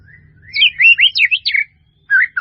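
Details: White-rumped shama, melodious full-fill training song: swooping, rising and falling whistles in a quick run lasting about a second, a short pause, then two more whistled phrases.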